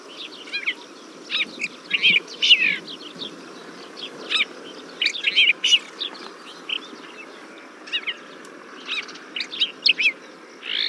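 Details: Desert finch singing: bursts of short, high chirped and trilled notes in loose phrases, with brief pauses between clusters and a faint low background hum.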